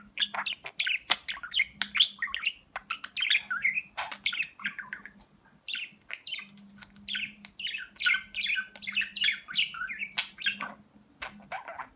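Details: Pet talking budgerigar from Rize, Turkey, recorded in 2020, said to repeat words like "Babacık Babacık Aşkım"; rapid, dense warbling chatter of buzzy chirps and squeaky syllables in long bursts, over a steady low hum.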